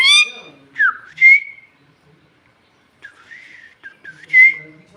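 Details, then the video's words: Hungry pet parrot that talks in Bhojpuri and asks for roti: a harsh opening note, then a series of short whistled slurs, some dipping and some level, between silent gaps. "रोटी देबे !! भुख लगल बा !! Bhojpuriya tota !! Bhojpuri talking parrot"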